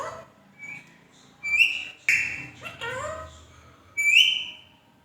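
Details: Pet Indian ringneck parakeet whistling and talking: bright, rising whistled notes, a few sliding downward, mixed with short speech-like syllables, all loud and close.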